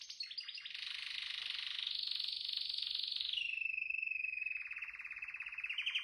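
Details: A canary delivers an unbroken rolling trill for six seconds. Notes are repeated several times a second, with a buzzy middle section that glides down into a purer, steady whistled trill and rises again at the end.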